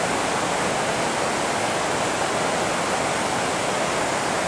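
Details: Loud, unbroken rushing of falling water covers everything, like a waterfall close by.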